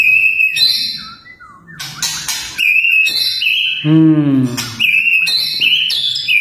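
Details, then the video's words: White-rumped shama pouring out a fierce burst song, known as tembakan, prepared as contest material: loud clear whistles, sharp chips and fluttering slurred notes in quick succession, with a brief low harmonic sound midway. "MURAI BATU TEMBAKAN TERGANAS"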